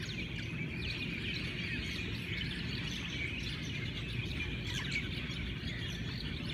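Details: Hawaiian morning bird chorus, dense overlapping tweets and quick down-slurred whistles from numerous birds, one louder burst of notes near the end, over low steady background noise.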